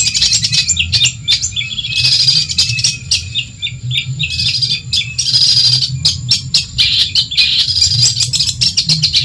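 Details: Madura long-tailed shrike singing as a tutor for other cage birds, a fast stream of sharp ticking notes, buzzy rattles and squeaky high phrases in bursts of a few seconds, with a constant low background hum.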